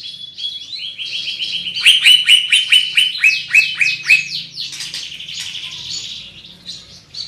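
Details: Greater green leafbird with a big body and loud, piercing song: a rising whistled introduction, then a fast run of repeated bright chirping notes about four per second, fading into softer twitters.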